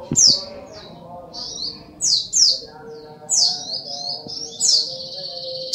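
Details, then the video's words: Brown-throated sunbird, known locally as sogok ontong, singing energetically: bursts of very high, piercing downslurred notes, each followed by short warbled twitters, roughly every second, with a soft background hum. "SUARA BURUNG SOGOK ONTONG GACOR"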